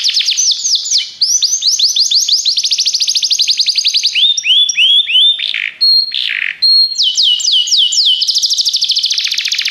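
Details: Singing Belgian canary used for training: long series of quick high trills and rolls, descending sweeps in short groups, a couple of sustained pure tones, and a final rapid buzzy roll.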